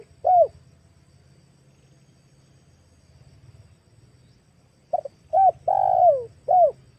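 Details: Female spotted dove lure call: a single short coo, then after a pause a four-note cooing phrase with a long drawn-out falling third note, low steady hum underneath.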